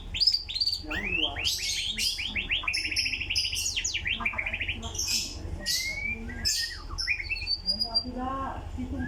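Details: White-rumped shama in vigorous song, pouring out a varied, loud sequence of rapid trills, sharp chirps, slurred rising whistles and buzzy notes with brief pauses between phrases, over a faint low background hum.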